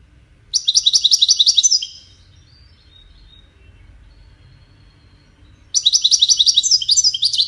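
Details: Widani-style European goldfinch song played so chicks can hear and learn it: two bursts of rapid, rhythmic high twitters, each over a second long, separated by several seconds of near silence.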